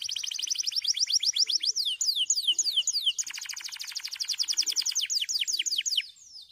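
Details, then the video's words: White canaries singing: fast trills of repeated sliding notes, high and bright, switching between rolling trill types every few seconds and ending abruptly. "Singing Canary Beautiful White Canaries and dancing on dry stalks to a beautiful song"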